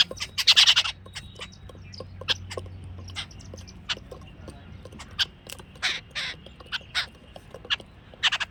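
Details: Jungle babbler (Argya striata) group calling: harsh, scratchy, nasal calls in uneven bursts, loudest near the start, with scattered chatter from the group and a low hum beneath.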